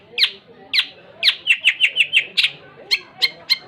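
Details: Long-tailed shrike singing actively: loud, separated harsh notes, then a quick series of short clipped chips, followed by a few spaced squawky notes.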